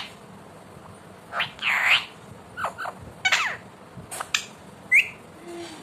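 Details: Pet Indian ringneck parakeet said to talk, producing a rapid jumble of varied sounds: raspy bursts, clicks, rising whistled notes and a short low tone, all close and loud above faint background hiss.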